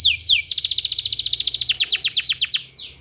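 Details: Canary singing as a therapy sound for training canaries: a loud, rapid trill of around twenty bright, repeated high syllables in two seconds, with brief sweeping notes before and after, over a constant thin high tone.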